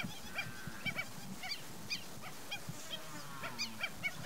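Lesser Yellowlegs giving short, clear, slightly downslurred tew notes, about a dozen in four seconds, some overlapping as if from several birds, over a low background rumble.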